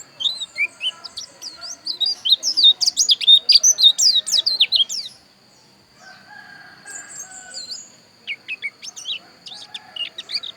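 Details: Javan white-eye, Bali dakun type from Pupuan, pouring out a loud, rapid string of high twittering sweeps and chirps for several seconds, pausing, then resuming with shorter sharp notes.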